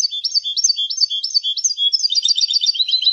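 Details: Goldfinch song for training and education: a looping series of rising-and-falling whistled notes, then a faster, busier twittering burst in the second half.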